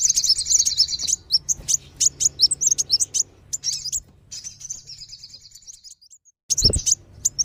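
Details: Lure recording of kolibri wulung and sogon sunbirds, meant to draw wild birds down: dense high chirps and sharp buzzy trills in bursts, with a pause near the end and a brief low thump.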